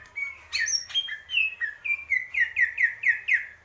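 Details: Greater green leafbird giving a short burst of song, a few varied whistles followed by a quick even row of ringing downslurred notes, over a faint low hum.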